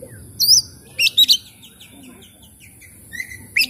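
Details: Lure recording of an Oriental magpie-robin, meant to prompt quiet, stressed birds to sing: high chirps in short clusters, a quick triple burst, then sparse soft notes against faint background hiss.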